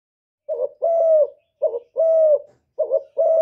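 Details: Decoy spotted dove cooing in a contest with a wild bird: three paired phrases, each a short wavering note followed by a longer steady coo, roughly every 1.2 seconds, with no other sounds.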